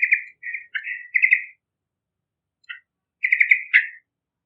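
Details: Yellow-vented bulbul in lively song, used as a lure for other birds: bubbly, chattering phrases of warbled notes, a short gap with one brief note, then a final burst of rapid gurgling notes.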